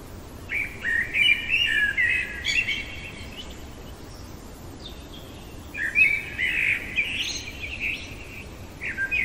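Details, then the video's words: Common blackbird singing in the middle of the night: two rich warbled phrases of fluty notes, each ending in higher twittering, separated by a pause of a few seconds, with a soft background hiss. "Merle chantant au cœur de la nuit"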